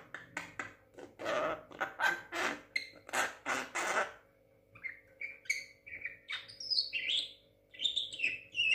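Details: Young captive Javan myna, six months old and said to talk, giving harsh rasping bursts about twice a second for four seconds. These are followed by short whistled chirps and squeaky notes in a small indoor room.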